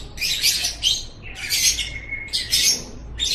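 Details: Short bursts of screechy, high lovebird chatter, each under half a second, one followed by a thin steady whistle-like tone, from a recording used to train pet lovebirds' voices.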